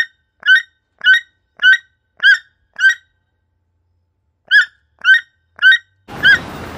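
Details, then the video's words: Toucan calling: a series of short, hoarse, croaking notes repeated about every half second, five in a row, a pause, then four more, ending with a burst of broadband noise. "Beautiful Bird toucan with his sound"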